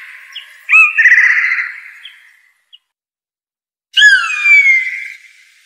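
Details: Blue jay (Cyanocitta cristata) gives a harsh, buzzy drawn-out call that fades away. After a short silence comes a clear, bell-like whistled note that slides gently downward.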